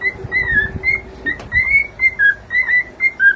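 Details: Young cockatiel kept as a pet, whistling a quick string of bright, slurred notes, some dipping in pitch, about two each second, with a faint click midway.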